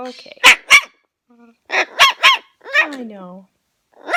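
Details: Rescued parrot in a home, said to be 68, produces clipped barking bursts in pairs and threes, followed by a falling whine-like squeal.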